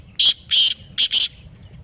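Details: Kala teetar, the black francolin, calling back after a played call: four loud, harsh notes, two spaced apart then a quick pair, each buzzy and rasping.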